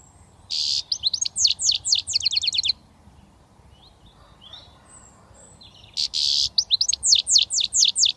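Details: Young British European goldfinch starting to whistle, producing a harsh buzzy note then rapid tinkling descending chirps, a quiet gap, and the same pattern again.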